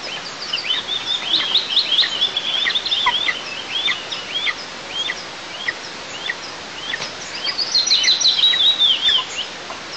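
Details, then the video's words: Young eagles at a nest in southeast Tatarstan on 6 July 2024, complaining while the mother eats alone. Dense, high-pitched chittering runs of short falling whistles come in quick bursts, pausing midway before an excited final flurry. "Дети не согласны, что мама ест одна"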